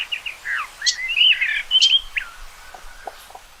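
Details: Common rock thrush song: a burst of fluty, slurred whistles and a bright rising note over two seconds, fading into a few soft ticks.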